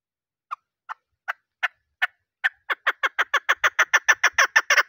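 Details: A female chukar call, used in hunting because males answer it, gives harsh clucking notes. They are first spaced about half a second apart, then speed into a rapid, rising chatter of chuck notes.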